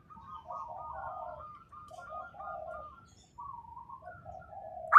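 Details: Soft song of local zebra doves: rapid chains of short rising-falling notes running into low rolling coos, with two or three separate phrases and quiet gaps between them.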